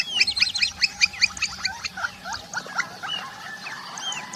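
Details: Campo flicker giving a burst of harsh, chattering calls repeated at an uneven rhythm, several notes overlapping as if more than one bird, fading into scattered softer notes over a steady low background rumble.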